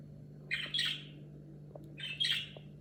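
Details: Budgerigar vocalizing around its talking: two grating, buzzy chirp phrases about one and a half seconds apart, each a quick cluster of rasping high notes, over a constant low electrical hum.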